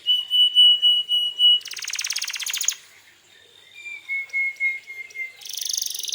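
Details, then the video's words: Vigorous canary song used to stir other canaries into replying: a long steady whistle pulsed in loud beats, a coarse buzzing trill, a short silence, a lower sustained whistle, then another buzzy rattle. "suara burung kenari gacor ini paling ampuh untuk pancingan kenari agar Nyaut emosi"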